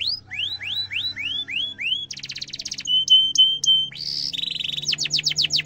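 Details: Singing canary as a training lure for young birds, with descending whistled notes in a quick series, buzzy trills, steady pure tones and sharp rapid chips, varied and continuous.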